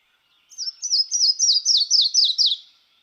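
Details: Yellow-throated Warbler song, one of the canopy warblers of Kentucky: a run of about eight very short sweet notes, each slurred downward, the series gradually descending in pitch like something falling.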